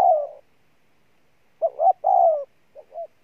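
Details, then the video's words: Spotted dove 'gù' cooing: a strong descending coo, a silent gap, then a quick double note and another long falling coo, ending with soft short notes. "Con Bổi Gù Trâu Bò nhất năm"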